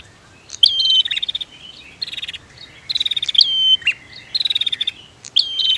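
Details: Prinia pair, female against male, pouring out fast buzzy trills and high chirped notes in closely spaced bursts, the rattles repeated several times over a light hissy background.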